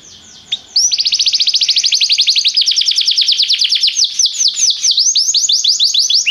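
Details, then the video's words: Canary singing restlessly with a long, rapid, even trill of high downswept notes that gradually loosens into slower swooping whistles. "o canário cantava inquieto"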